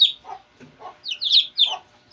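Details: Shamo chicks two days old giving a few sharp descending peeps, separated by brief pauses, with soft lower scratchy sounds between calls.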